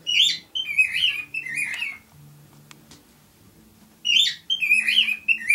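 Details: Male pet cockatiel singing, kept with a female: bursts of bright, warbling whistled phrases with sliding notes, a quiet pause, then the whistled phrases resume.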